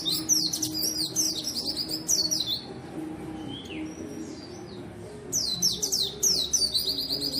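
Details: White-eye in full, persistent song used as a lure and tutor for birds reluctant to sing: repeated bursts of rapid, high, downslurred twittering, a quieter gap with thin falling whistles, then more energetic chatter.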